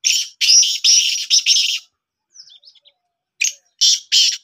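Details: Pet black francolin calling, possibly during training: harsh, broadband, rasping notes in a rapid run of about four, then softer twitters, then three more loud rasping bursts.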